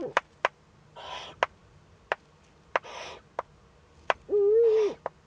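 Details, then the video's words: Eurasian eagle-owl young in a webcam nest, northern Rhineland-Palatinate, Germany, 15 May 2013, first contact. Soft breathy hisses alternate with sharp clicks, ending in a louder, steady, slightly wavering tonal note held about half a second. "Junguhu - erster Kontakt mit Lotte"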